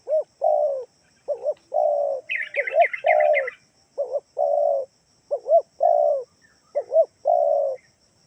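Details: Spotted dove lure call to draw a reply from other doves: repeated two-coo-plus-long-coo phrases, about seven in sequence, with a brief buzzy chatter of another bird partway through and a faint high whine.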